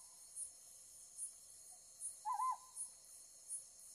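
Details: A Ryukyu scops owl, calling at night while lit by a light, gives a single short, wavering hoot at mid pitch, with a faint insect ticking high and steady in the background.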